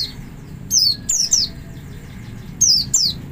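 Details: Double lure call of an Oriental white-eye, meant to make other white-eyes join in. Thin, high, downward-sliding notes, a group of three and then a pair.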